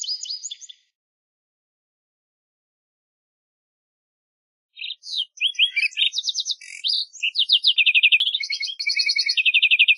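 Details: Lark sparrow singing: a brief chippy phrase, a pause of several seconds, then a long varied run of buzzy trills, rapid stutters and high repeated notes switching between pitches, with no other sounds.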